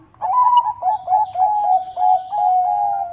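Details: Bangkok-type zebra dove singing constantly for a training recording meant to make rivals answer: a steady series of soft, slightly wavering coos, each note stepping down slightly, strung closely together.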